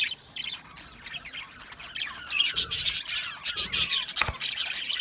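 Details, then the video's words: Australian budgies in an aviary colony chirping: soft scattered chirps at first, then a louder, busy outburst of scratchy, squawking chatter from many birds in the second half. "Australian Budgies Singing and chirping sounds"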